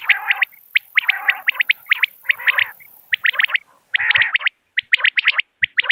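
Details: Common quail calling: dense, overlapping triplets of sharp, high notes over husky lower buzzes, almost continuous, with a few short gaps and a faint high hiss in the first half.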